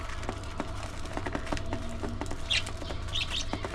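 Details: Budgerigars at early morning feeding time: a few short, bright chirps, mostly in the final second and a half, over a steady low hum and background clatter.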